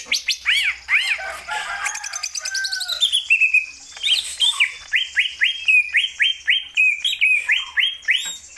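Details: Greater green leafbird in steady, vigorous song: arched, falling whistles open the phrase, then a run of bright rising whistled sweeps repeated about twice a second, clear and loud with no other sounds.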